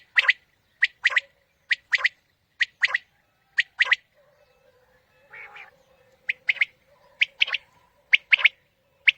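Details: Quail calling used for morning hunting: repeated sharp three-note phrases, a single note and a quick pair, broken midway by a short low rasping sound and a faint steady hum.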